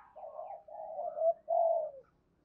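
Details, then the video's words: Softer, more distant cooing from a spotted dove of the thổ sấm voice style: three drawn-out, blurred coos running almost together, the last slightly louder and falling at its end. "cu gáy thúc gù/ cu gáy thổ sấm thúc gù và gáy gọi"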